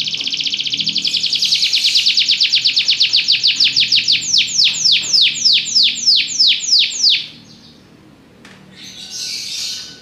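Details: Belgian canary trilling rapidly at high pitch, the notes spacing out into slow, clear, downward-swept whistles before a pause and a short burst of softer twittering.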